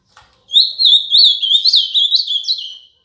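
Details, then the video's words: Canto Paraná song of an ultramarine grosbeak: one continuous warbled phrase of rapid, slurred whistles rising and falling for over two seconds, loud and clean against silence. "AZULÃO CANTO PARANÁ"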